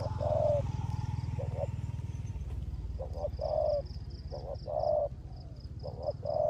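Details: Caged spotted dove used as a decoy, cooing rước gù style in rain; a long coo opens, then after a pause paired short notes and drawn coos return, over low droning rumble and intermittent high pulsed chirps.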